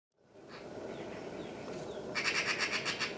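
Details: A great spotted woodpecker in the botanical garden of Almaty, Kazakhstan, on 1 March 2014, gives a quick run of sharp, scratchy kik notes, about six a second, over a steady rushing background hiss.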